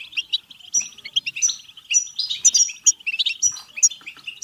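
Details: Energetic European goldfinch batbata song for stimulating singing, mating and excitement: dense, chattering high notes mixed with sharp tinkling whistles and brief buzzy trills, flowing almost without pause.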